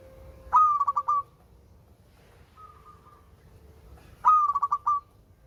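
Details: A melodious local zebra dove (perkutut) repeats its phrase twice, about four seconds apart. Each phrase is a sharp opening note and a quick string of rolling coo pulses, with a faint short tone between them and a low steady hum.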